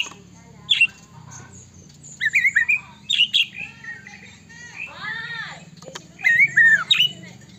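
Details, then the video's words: Murai batu song used as a lure for other white-rumped shamas; short bursts of bright slurred whistles and chatter over a steady low hum, with a brief voice-like wavering sound in between. "murai batu gacor AMPUH buat PANCINGAN murai batu agar bunyi JADIKAN burung murai GACOR & EMOSI"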